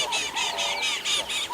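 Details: A bird alarm-calls at a female leopard on an early-morning safari drive on 30 January 2022: harsh, rasping scolding notes in a rapid string, about four or five a second, high and grating. On hearing it she raises her tail and moves off.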